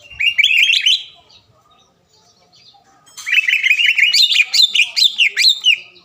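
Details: Green leafbird lure song to provoke a rival: a short warbled phrase of wavering whistles, about two seconds of quiet, then a long, rich, rising and falling run of tumbling whistled notes.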